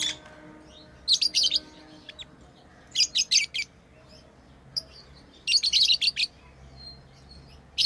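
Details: Pet lovebirds chirping during play, groups of three or four harsh high chirps repeated every couple of seconds, with a few faint single notes between.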